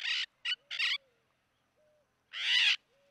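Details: Yellow-collared macaws feeding on the ground in gallery habitat of the Pantanal, Brazil: short harsh, raspy squawks, three in quick succession then a longer grating one after a pause, with faint thin whistles between.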